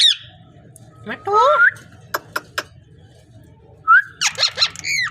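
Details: Parrot vocalizing indoors: a rising whistled note near the start, a bent whistle, sharp clicks, then bursts of harsh harmonic squawks and rising whistles at the end, over a low steady hum.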